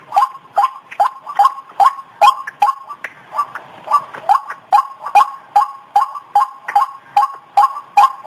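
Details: White-breasted waterhen (ruak ruak) call used as a lure to draw birds closer: a regular series of hollow, clipped notes repeated about twice a second, with clean quiet background.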